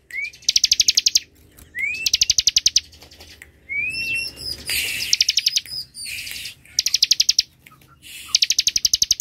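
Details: Bar-winged prinia in ngebren song, tight and drawn out, used as a tutor and lure recording: repeated bursts of rapid high-pitched ticking trills, several introduced by a short upslurred whistle, separated by brief pauses.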